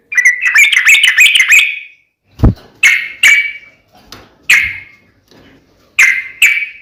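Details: Sooty-headed bulbul in full 'gacor' song, fighting 'tarung uplik ropel' style. A quick run of bright chirping notes opens, then a dull low thump, followed by separate loud whistled notes at irregular spacing.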